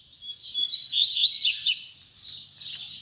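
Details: Double-collared seedeater giving a short tui tui zel zel song phrase: high fluttering whistles, then a rapid run of sharp descending notes and a softer buzzy tail.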